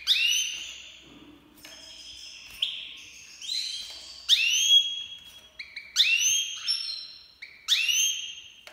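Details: An Iranian goldfinch (Himalayan black-headed cross) sings bright, ringing notes that rise and twang, in short bursts about every second, high-pitched and clear over a quiet background.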